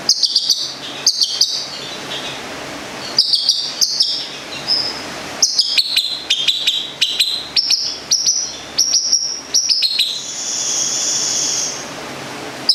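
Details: Long-tailed shrike from Gedong Songo, Central Java, delivering clusters of high thin squeaky notes and sharp ticks in short bursts, pausing between them, closing with a longer high whistled tone.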